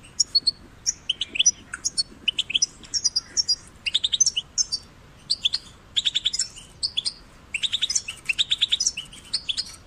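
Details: Goldfinch chicks, European species, recorded to stimulate singing; lively high chirping and twittering in rapid bursts of three to six notes, nearly continuous over several seconds, multiple young birds calling.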